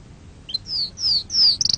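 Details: Canary song for teaching young canaries: a quick chip, then three drawn-out high whistles each sliding downward, ending in a burst of fast ticking notes.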